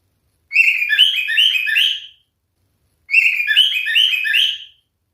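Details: Male cockatiel singing two separate phrases of rapid, slightly harsh chirped notes, each lasting about one and a half seconds, with a pause between them.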